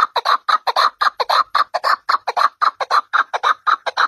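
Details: Partridge calling: loud, harsh clucking notes repeated rapidly and steadily, about two per second, each a short rasping burst, with no other sounds.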